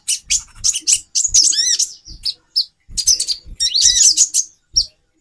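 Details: Female konin, a sunbird, calling to arouse a male; short bursts of high chirps include a rapid trilled run and downslurred whistles, separated by brief silences, with low tapping.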